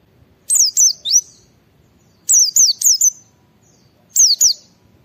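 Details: White-eye in ngalas singing style, played to stimulate other white-eyes to sing: three groups of two or three quick, high, sharply descending whistled notes, each with a short upturned tail, at roughly two-second intervals.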